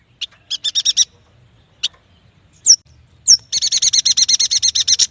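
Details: Yuhina, locally prenjak batu, in full song: a short chip series, a couple of sharp downward whistles, then a long, steady train of rapid buzzy chirps about five per second.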